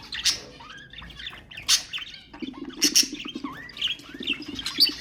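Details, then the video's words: Budgerigars calling to stimulate other birds: scattered sharp chirps and curving whistled notes over softer, steady chattering, with loud squeaks about once a second. "اقوى أصوات طيور البادجي طيور الزينة أصوات تحفيز الطيور"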